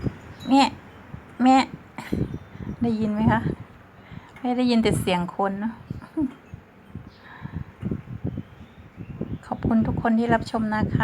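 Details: A pet Common Hill Myna, recorded 4/6/2020 at a house near a road, gives its all-day 'calling mother' cries: loud voice-like calls, some clipped, others drawn out, like a person calling, with faint room noise.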